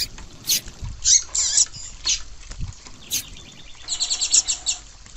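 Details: Female rusty-collared seedeater calling to excite a male. Quick, high chips are followed by a short run of rapid twittering notes near the end. A low rumbling background persists throughout.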